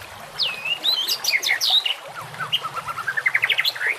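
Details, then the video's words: White-rumped shama giving a quick medley: a falling and rising whistle, sharp high chips, then an accelerating series of rising notes, with a faint low hum and water in the background. "masteran murai batu"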